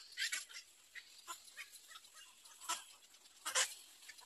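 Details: Nestling little egret calling from the nest in short, harsh, scratchy bursts, some louder than others, spaced irregularly with quieter ticking between.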